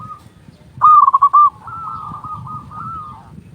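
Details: Local Indonesian zebra dove, a loud, prolific singer, calling to lure and stir other doves: a loud burst of six quick cooing notes near one pitch, then a softer, longer trilled coo fading out.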